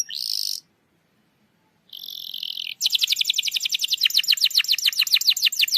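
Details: Domestic canary song meant to stimulate a silent canary: two brief buzzy trills separated by a pause, then a continuous fast roll of repeated high notes, several per second.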